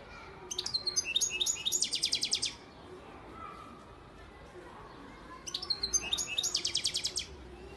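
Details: European goldfinch, a breeding father bird from Antalya, Turkey, recorded in 2018, singing two bursts of rapid, high, tinkling trilled notes about five seconds apart, with a quiet pause between them.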